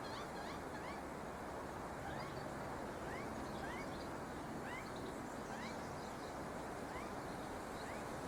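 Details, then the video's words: A baby magpie begging for food gives short, squeaky rising calls, likened to a dog's squeaky toy, every half second to second, growing louder as the parent approaches with a worm, over a steady roar of wind or traffic. "sound of a magpie chick being fed"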